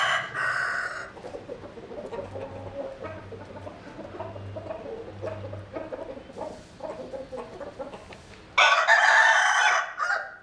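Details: Roosters in rural southern Vietnam: a short crow opens, then low background rumble and faint clucking, before a loud, harsh, sustained crow bursts in near the end and is cut off abruptly.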